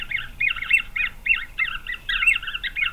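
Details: Green wood hoopoe chicks in a nest in Pretoria, South Africa, November 2023, growing fast: a dense chatter of short squeaky notes overlapping without a break, steady low rumble beneath.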